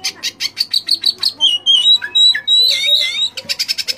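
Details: Oriental magpie-robin song full of fill-in phrases, meant to rouse other magpie-robins: a fast series of high rasping notes, several each second, then clear slurred whistles and a wavering warble, then the rapid rasps again.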